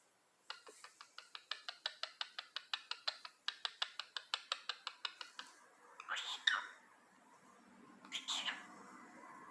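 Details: A male cockatiel chatters, talking in a fast run of clipped, even notes, then gives two breathy, whispery bursts.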